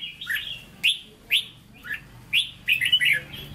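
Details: Short Hue-style phrases from a caged red-whiskered bulbul: single upslurred chirps about half a second apart, then a fast warbling flourish at the end, each accompanied by sharp clicks.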